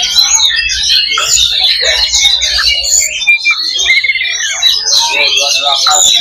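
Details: Many kacer, Oriental magpie-robins, in a fighting-spirit simulation: fast, overlapping whistled phrases and chattering trills, nearly unbroken, with a faint low hum for the first three seconds.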